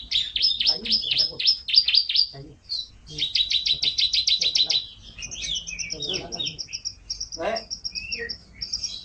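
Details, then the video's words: Canary singing in rapid trills of high buzzy repeated notes, several fast rolling phrases broken by short chirps and sweeping whistles, energetic and continuous. "Suara Burung Kenari"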